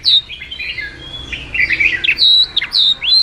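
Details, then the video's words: Oriental magpie-robin song meant for luring and training birds: softer rambling warble rising into loud, sharp whistled notes and slurs near the end, over a low hum. "Masteran suara burung kacer super gacor, Suara pikat burung kacer"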